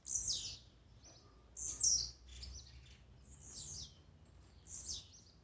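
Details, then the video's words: Blue-black grassquit (tiziu) songs, played as a warm-up to excite a kept bird: short, high, buzzy descending bursts, each sliding downward, repeated roughly every one and a half seconds over faint low background hum. "Melhor esquente de tiziu,cantos e macheados para enlouquecer sua ave."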